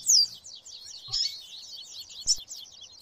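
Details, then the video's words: Rusty-collared seedeater in viviti song with background chatter of papa-capim: thin, high twittering throughout, punctuated by three brighter whistled notes near the start, middle and end, plus a soft knock. "Canto Viviti Com Baderna de Coleiro e Papacapim"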